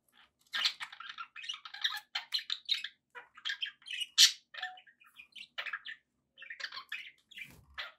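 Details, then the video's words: Pet budgies chatter in loose clusters of short, raspy chirps and bright squawks, with small gaps between bursts and one especially loud shriek midway. "budgie sounds"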